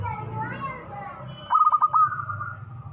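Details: Local Indonesian zebra dove, described as singing actively with a big voice, gives one loud burst of about five rapid, pulsed, cooing notes in the second half, after children's voices and outdoor chatter.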